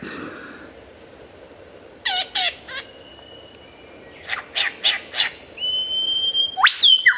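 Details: Lyrebird singing vigorously in a clear, loud recording: a long quiet stretch, then sharp descending rasping bursts, a thin steady whistle, a run of four harsh strokes and a final upswept whistle.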